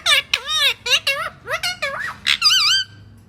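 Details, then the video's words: Pet parrot talking in a small room, a rapid string of high, squeaky whistled syllables with bending, wavering tones, imitating human words such as "I love you" and "give me a kiss"; a person's voice nearby. "Parrot sound ❤️I love you"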